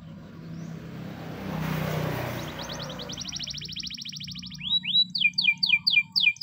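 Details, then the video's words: Spanish Timbrado canary training song in the morning: after a stretch of low rumbling noise, a fast metallic trill starts, followed by loud, separate, arching whistled notes repeated about twice a second. "the best canary training song in the morning! make your canary sing |spanish timbrado"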